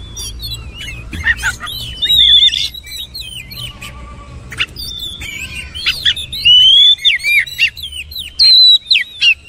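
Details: Oriental magpie-robin pouring out varied song: many quick zigzag whistles and clicks, a soft middle stretch, then strong ringing phrases repeated close together toward the end.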